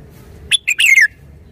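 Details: Single crisp song phrase of a red-whiskered bulbul: three rapid whistled notes, the last a sweeping downward slur, against faint low rumble.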